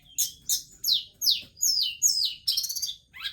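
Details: A forktail, filmed while dancing, repeats sharp high descending whistled notes about every third of a second, each a quick downward slur, ending in a rapid trilled burst.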